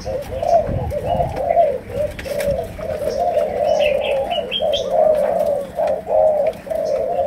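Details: Malaysian spotted dove with 'sấm đồng' style cooing: a low coo broken into repeated rounded phrases, with several pauses. Bright higher chirps from other birds come through near the middle.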